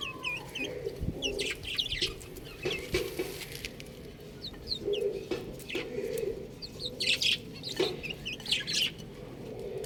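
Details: Buff domestic chicks peeping constantly: many short, high, down-slurred cheeps overlapping through the whole stretch, with a few lower soft clucking notes underneath.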